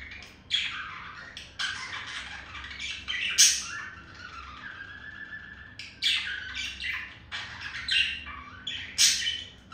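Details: Male budgerigar courting a female with chirping and beak tapping: a busy, scratchy warble of chirps and sharp squawky notes, with louder clicking bursts roughly every one to three seconds.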